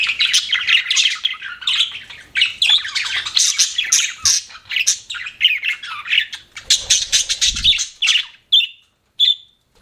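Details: Pet budgies chirp in rapid bursts of squeaky, buzzy warbling, then trail off to a few separate high, clear chirps near the end.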